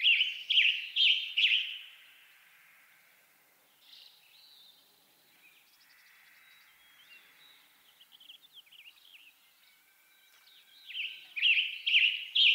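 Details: Western tanager song from western North America: a run of short, hoarse, burry phrases at the start, a quiet stretch with faint thin notes, then another burst of rough phrases at the end.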